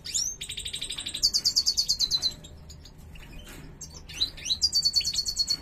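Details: Female European goldfinch in breeding condition giving the cruaca: bursts of rapid, high, scratchy chirps in even series, broken by a pause with scattered twitters, then another fast chirping run.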